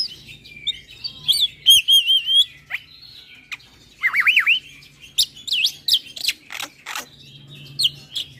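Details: Javan pied starling (white starling) in full song, head-bobbing to provoke rival starlings: warbled wavering whistles, a looping sliding phrase, sharp clicks and quick buzzy notes spread across eight seconds.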